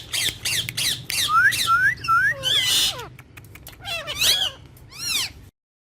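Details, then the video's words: Pet green ringneck talking parrot mixes whistled upward-sliding notes with squawky, harmonic bursts, then falls silent after about five seconds. "Green Ringneck Talking Parrot"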